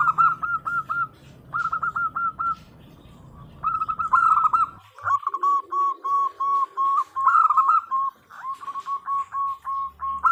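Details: Local female zebra dove calling to the male as a lure: runs of quick, bright, even notes in clusters, then a long string of steady repeated coos with brief warbled flourishes, over a faint low hum early on.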